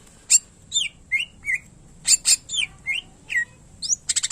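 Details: Cucak ijo (greater green leafbird) gacor isian song intended to prompt silent birds: sharp cracks and curving whistled slurs in lively sequence, ending in a fast rattle of high clicks.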